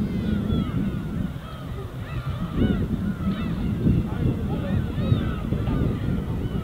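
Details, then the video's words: A group of gulls over the winter sea of Korea's east coast keeps up a chorus of short curved mewing calls and longer wails, backed by a continuous gentle surf. "갈매기와 잔잔한 파도소리"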